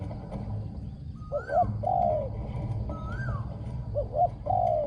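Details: Spotted dove used in decoy luring gives two coo phrases, each short notes and then a long, mellow, falling coo. Each phrase comes just after another bird's arched, rising-falling whistle, over a low rumbling background.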